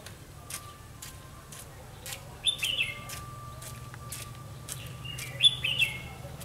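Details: Red-whiskered bulbul ('mí lửa') at a trapping site on 31 October 2016 gives two short, sharp whistled phrases a few seconds apart, amid repeated dry clicks and a low steady hum.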